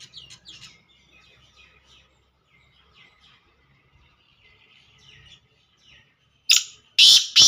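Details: Black francolin calling, a short burst of loud, harsh, grating notes near the end, preceded by faint high twittering of small birds.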